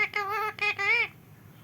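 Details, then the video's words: Rescued parrot kept at home in India, unable to fly and raised from a baby, speaking learned words: three clear, voiced, speech-like syllables with rich harmonics and a slight rise on the last, indoors. "Parrot talking"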